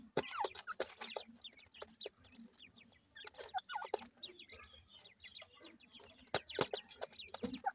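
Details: Captive francolin chicks, called irani teetar, being raised and fed: thin, high peeps and short twittering chirps in scattered bursts, mixed with loud clicks and knocks from handling.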